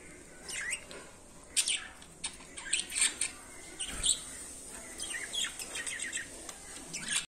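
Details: Budgerigar giving sharp, high chirps and short squeaky notes, scattered irregularly and sometimes in quick clusters, against a quiet room hiss with a steady high background tone.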